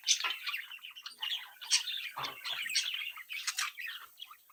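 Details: Budgerigar chicks chirp and sing together in a steady stream of scratchy, high chatter, dotted with sharp squeaks and a brief rustle midway.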